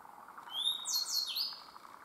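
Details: Grey bunting singing at Myoko Kogen highlands, Japan: a thin, high rising whistle, then a quick run of sliding, slightly buzzy notes that drop in pitch, over faint background hiss.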